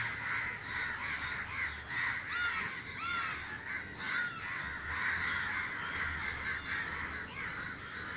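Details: Many crows circling above a Sri Lankan garden, startled by a neighbour's scare-gun shot, give a dense chorus of raspy caws that rise and fall in waves, with a few thin higher calls mixed in.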